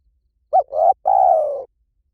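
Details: Spotted dove calling as a lure for decoy trapping: one short note, a swelling mid coo and a long, slightly rough coo that slowly falls and fades, nothing else heard.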